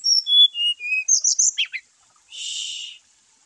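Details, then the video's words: Brown-chested jungle flycatcher song used to rouse caged birds that are reluctant to sing: a run of clear, high whistled notes stepping downward, then a short burst of twittering, ending in a harsh buzzy rasp. "PANCING ATAU PERANGSANG EMOSI SRDC MALAS BUNYI,SIKATAN RIMBA DADA COMLAT GACOR"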